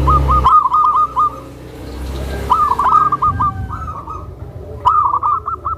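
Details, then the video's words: A tame zebra dove, kept to coax and train new zebra doves, gives gentle rapid cooing phrases of quick repeated notes. Three bursts are separated by short pauses, and a low rumble sits underneath at the start. "SUARA PERKUTUT JINAK, LEMBUT, DAN MEMANCING PERKUTUT LAINNYA"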